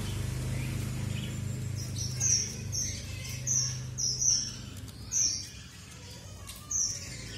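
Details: Strawberry finch, also called red avadavat, gives a run of short, piercing high whistles about once a second, later spacing out, over a steady low mechanical hum.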